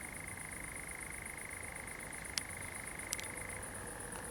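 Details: Common nightjar singing after dark, 7 July 2020, pine woodland at Zamudio in Txorierri, Biscay, with fireflies about; an unbroken churring trill, slightly dropping near the end, with a couple of crisp clicks.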